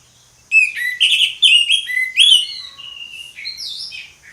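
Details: Loud ngeplong song of an Orange-headed thrush: a rich, varied flow of whistled and slurred phrases, some rising and some dropping, delivered continuously for nearly four seconds before fading into thinner high notes.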